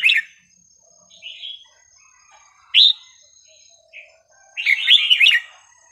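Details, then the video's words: Varied, sweet song phrases of a red-whiskered bulbul, recorded for young birds to learn: separate loud whistled notes spaced by quiet gaps, ending in a dense, rich burst of liquid warbling. "นกกรงหัวจุกสำนวนเพราะๆ ร้อง เพลงไม่ซ้ำกัน"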